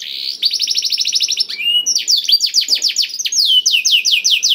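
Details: Black-throated canary song meant to spur canaries into singing: a dense, even trill of quick notes, then slower, louder descending slurs repeated in a steady series.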